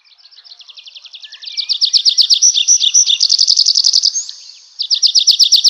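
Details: Nightingale delivering a long, fast, rhythmic trill that builds in volume, with bright whistled accents, a short break, then a renewed rapid pulsing phrase.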